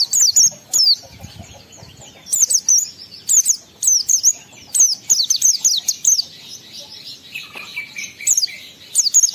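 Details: Oriental white-eye song used to stimulate emotion and breeding urge in other white-eyes: bursts of high, thin, rapid twittering notes, clustered in quick phrases separated by short pauses, with soft rustling between.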